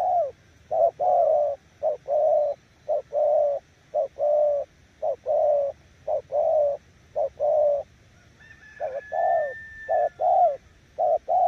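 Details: Spotted dove kept as a decoy bird, giving 'gù' coos: low hoarse paired notes, a short note then a longer one, repeated about once a second; a thin high whistle joins briefly near the end.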